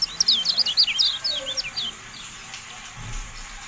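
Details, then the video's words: Bright, rapid twitter from a Javan white-eye, sharp high notes bending up and down about three per second, fading after two seconds into quieter background. The recording is used as training audio for kept birds. "MASTERAN TERBARU KECIAL KUNING, FULL AUDIO"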